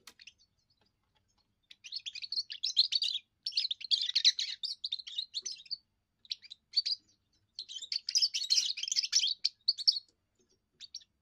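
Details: First song from a young European goldfinch, used to guard territory and impress females: long phrases of fast, bright twitters and chattering trills, broken by a few brief pauses.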